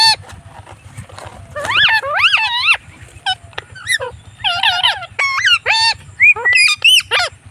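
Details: Pet blue Indian ringneck parrot during an evening walk utters dense bursts of harmonic, warbling syllables, some rising and falling sharply, others short clipped notes, in quick phrases with brief pauses, a faint low mechanical hum beneath.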